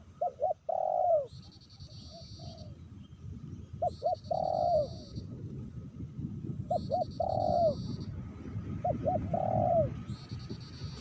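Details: A lure-bird spotted dove calls in the rain at Meratus, used to attract wild doves. Four phrases of soft cooing, each two or three quick notes then a longer falling coo, over steady rain, with intermittent high buzzing.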